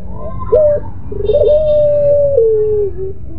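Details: Pelung-type Barbary dove in its crying, moaning style: stuttered opening coos swell into a long level tone, stepping down to a lower held note before ending, over low background noise.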